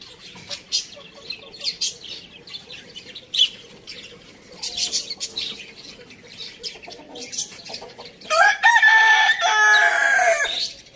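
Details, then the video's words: A rooster in a farm village gives a single drawn-out crow lasting about two and a half seconds, loud and harmonic-rich. Scattered high chirps from small birds fill the seconds before it. "Amazing rooster crowing sounds"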